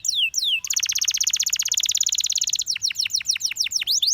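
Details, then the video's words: Belgian canary in full song: two falling whistles, then a long very fast metallic trill for two seconds, followed by a string of sharp downward-sweeping notes. "Canary Singing Bird Sounds - Belgian Canary Singing"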